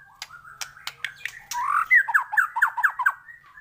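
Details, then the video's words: White-rumped shama morning master song: scattered sharp clicks, then a harsh slurred phrase running into a quick, rhythmic series of short rising notes. "pANCINGAN masteran pagi agar MURAI BATU gacor!!!"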